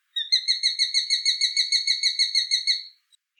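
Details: Sharp-shinned hawk giving a high-pitched, frantic kik-kik-kik series: about sixteen sharp, evenly spaced notes over roughly two and a half seconds, clean with no background sound.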